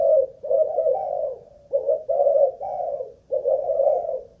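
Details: Low, rough cooing from a captive spotted dove of Malaysian stock used as a ground decoy, under an endurance test; slurred multi-note phrases run almost without break, with one short pause midway.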